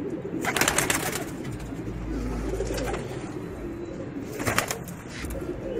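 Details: Racing pigeons cooing in a deep, rolling murmur, punctuated by two bursts of clattering near the start and end.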